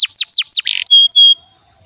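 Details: Domestic canary song used as a long singing lure to train young canaries and coax silent ones to sing: four quick downward-sweeping whistles, a short buzzy rattle, then two clear, steady high whistled notes.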